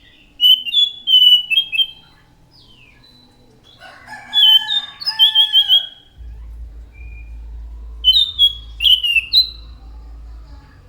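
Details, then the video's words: Actively singing anis macan thrush giving three bursts of song: clear whistled phrases, a louder cluster of rich, layered notes in the middle, and a final set of bright slurred whistles, with a low hum beneath. "SUARA ASLI ANIS MACAN GACOR"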